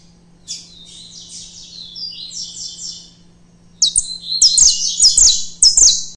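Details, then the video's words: Saffron finch with a color mutation, filmed while afraid of the phone, delivers rapid high chirped notes, then a louder run of sharp, repeated chip-like notes with clicking sounds between them. "MEU CANÁRIO DA TERRA mutação difícil filmar cantando"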